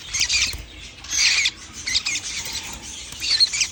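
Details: Baby lovebirds on 11 January 2025 give a continuous rasping, high-pitched chatter of overlapping buzzy squeaks, loudest in bursts around one second and near the end.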